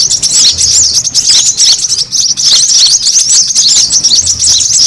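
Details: Lure call of a noisy brown-throated sunbird meant to attract birds, heard as dense, squeaky, high twitters and slurred chirps tumbling over each other for five seconds.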